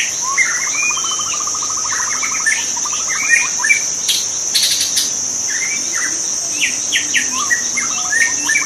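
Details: White-rumped shama in the wild giving rapid, evenly spaced trills and scattered whistled notes, with brief sharp chips, all against a loud continuous shrill chorus of insects.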